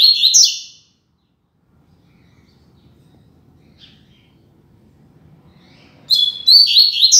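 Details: Loud, firm song from a caged double-collared seedeater used as a singing tutor: a burst of sharp high whistled notes, a long quiet pause with faint room hum, then another bright phrase of piercing whistles.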